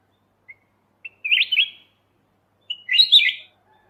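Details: Golden bulbul with white eyes (kutilang emas mata putih), recorded as master song for training birds: two soft introductory notes, then two quick rippling whistled phrases about one and a half seconds apart.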